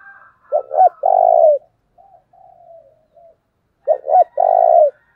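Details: Decoy spotted dove calling to excite wild birds: a pair of clipped low coos run into a drawn-out rolling coo, the sequence given twice roughly three seconds apart, separated by softer murmured coos against a quiet background.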